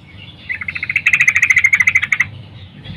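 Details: Morning call of a female sooty-headed bulbul summoning a male: one sustained rapid rattling trill of about twenty clipped notes, roughly 1.7 seconds long, steady in pitch, with faint background hum.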